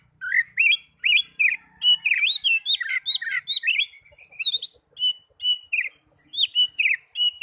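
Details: Young Oriental magpie-robin pouring out a continuous, varied song of quick twisting whistles, sharp clicks and dropping slurs, delivered in rapid clusters with barely a break.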